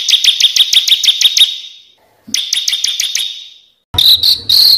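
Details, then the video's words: Master track of bird song for competition birds: bursts of quick high chirps repeated in even runs, a pause, then loud slurred high whistles. "SUARA BURUNG MASTERAN BURUNG LOMBA"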